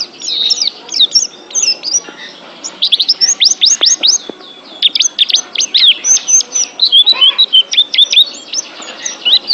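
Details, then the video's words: Training recording of a pet oriental white-eye (pleci) pouring out a long, energetic song of very high, rapid chirps and slurred whistles, tumbling in dense bursts with few pauses. "TERAPI MENTAL PLECI ♫ DIJAMIN PLECI ANDA JADI JUARA ♫ Kicau Burung"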